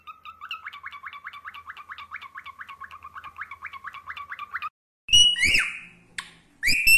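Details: Pet cockatiel kept indoors: a fast run of evenly repeated short warbling notes for several seconds, followed by a few loud harsh screechy calls.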